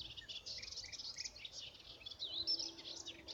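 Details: Melodious warbler (Hippolais polyglotta) singing on 17 April 2017: a fast, babbling run of high chattering notes with no pauses, fairly faint, over a soft background hiss.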